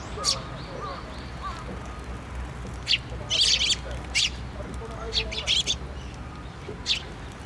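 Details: On 24 June 2023 at a Tenmangu shrine, sparrows coming to a post feeder chirp in scattered bursts, a dense cluster near the middle, with faint low background murmur.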